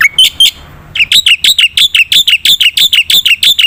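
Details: Black-winged myna delivering lively gacor full isian song, used to prompt reluctant singers: a few harsh notes, a brief quiet gap, then a rapid, even chain of sharp, ringing notes.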